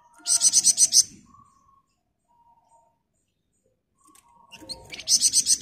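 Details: Flamboyan bird in the 'ngebren rapat' song style, recorded as a master for teaching other birds: a dense run of sharp, high chattering notes, a pause of about three seconds, then another rapid burst.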